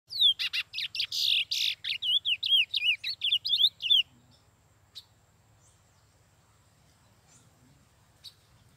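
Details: Lesser seed finch, a curió, singing a fast burst of about four seconds: rapid high slurred and looping whistled notes, the first loud and dense, then a string of repeated curling phrases, followed by near silence with a low hum.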